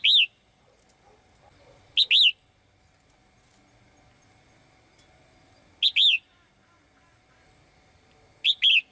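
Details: Caged female bird calling brightly to summon a male: short two-part chirps, a sharp upward note then a slurred falling whistle, repeated at irregular gaps of about two to four seconds over a faint steady hum.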